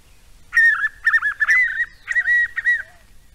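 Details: Spot-backed puffbird calling with a run of clear, wavering whistles near one pitch. The notes come in quick groups of rolling, slurred phrases, with two short pauses across the run, and the background is quiet.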